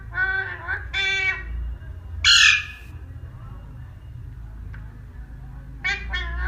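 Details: Tame parrot talking, with loud harmonic, voice-like squawks at the start, a harsh raspy screech near the middle, and a final pair of sharp squawks after a quieter stretch with steady low background hum.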